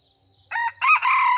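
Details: Wild red junglefowl crowing back at a decoy rooster while being lured, in a season when the birds are not yet aggressive: a loud, harsh crow in two bursts, a short first phrase and a longer second one, after a quiet start with faint low hum.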